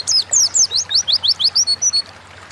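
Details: Short phrase of Oriental white-eye 'ngalas' song, played as a lure to make kept birds sing: about a dozen quick, high, sliding whistled notes at a steady pace, the last few flatter and softer.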